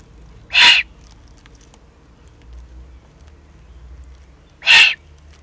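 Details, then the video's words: Young Eurasian eagle-owls, excited, recorded in the Eifel on 21 June 2020, give two loud hoarse hissing screeches about four seconds apart over a quiet background with faint low rumble. "aufgeregte Junguhus"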